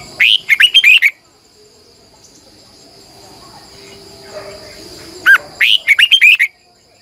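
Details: Morning song of a red-whiskered bulbul used as a lure bird for training others, long double-voiced twisting phrases: a rapid run of bright warbled whistles, several seconds of near silence, then a second similar burst.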